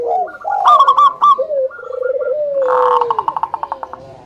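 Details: Zebra dove lure song from local birds, meant to make other doves sing: stuttering bright notes and rolling coos that stretch into a long descending coo, then a fast, fading trill of pulses.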